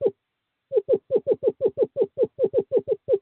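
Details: Male screech owl at nest box 5, courting season, 2/11/2023, calling to a female: one lone note, a brief silence, then a steady rapid trill of hollow notes sliding slightly downward.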